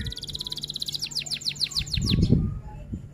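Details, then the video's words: F1 canary delivering a rolling rol tembak phrase: a rapid high trill of evenly spaced notes gives way to about eight loud, drawn-out down-curving whistles, ending in a low thumping noise. "Kenari F1 Gacor Rol Tembak Top Durasi Panjang"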